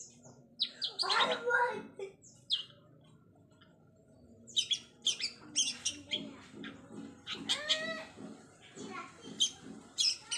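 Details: Long-tailed shrike practising mimicked fill-in sounds: separate bursts of high chirps and rasping notes with short whistles, broken by pauses, over a quiet background.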